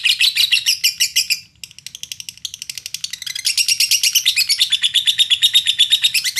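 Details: Lovebird in Indonesia, a lure to provoke other lovebirds to sing: loud rapid chattering, a brief pause with quieter ticking notes, then a long, strong run of evenly pulsed, buzzy chatter.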